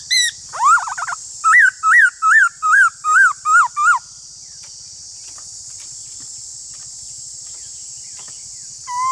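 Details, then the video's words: Black-throated laughingthrush dueling in song with another laughingthrush: a burst of quick looping whistles, about ten evenly spaced notes, then silence with steady hiss before a final whistle begins. "Khướu bạc má Hót Đấu với khướu ngoài"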